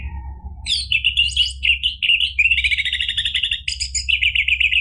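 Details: Orange-headed thrush in full energetic song, meant as therapy to provoke a bird that has stopped singing; a continuous, rich stream of high whistles, trills and rapid chattering phrases, varying in pitch, after a short soft opening note.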